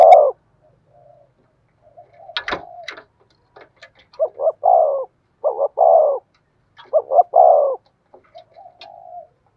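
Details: Spotted dove decoy cooing in the 'thổ' voice: short paired notes followed by a drawn-out throaty coo, repeated three times in the second half, with a sharp click and faint soft coos earlier.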